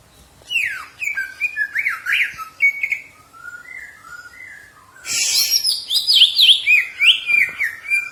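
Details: Caged green leafbird song for training: varied slurred whistles and chirps, a softer stretch of lower whistles, then a loud rapid burst of looping high notes.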